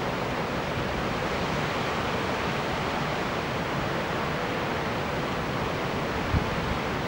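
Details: Unbroken rushing wind or surf noise, with a single short knock near the end and no animal calls.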